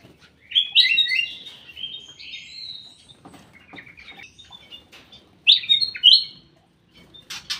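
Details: Ruby-throated bulbul inside a private aviary producing lively, tumbling warbled phrases, a pause with faint rustling, then two sharp bright bursts of notes near the end.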